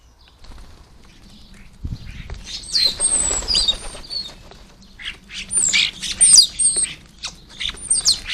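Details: Common starlings crowding a garden bird table to feed, with wing flutters followed by noisy overlapping chatter of rasping notes, clicks and thin high whistles.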